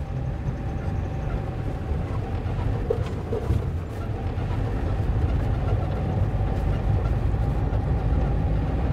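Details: Continuous heavy engine rumble and road noise dominate throughout, with no animal calls present.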